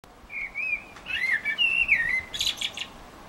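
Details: Eurasian blackbird singing in Utrecht on 9 June 2014: low, mellow fluted warbles that rise and fall, then a burst of squeaky, high twittering notes at the end of the phrase.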